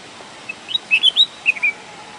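Red-whiskered bulbul giving a short burst of bright, liquid chirping whistles, several quick notes rising and falling within about a second, over a faint background hiss.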